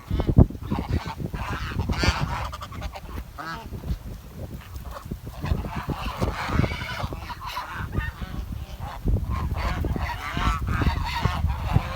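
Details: A flock of village swans calling with nasal, harmonic honks and chattering notes that overlap almost constantly, over a steady low rumble.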